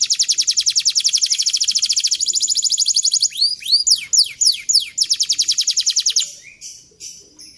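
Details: Canary song for training young canaries to sing fast with long rolls: a long steady high trill, a burst of looping descending whistles, then another rapid rolling trill fading out.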